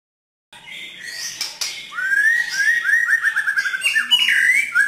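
White-rumped shama in rich, varied song: fast strings of clear whistles and buzzy rattles, rising and falling, about three or four notes a second.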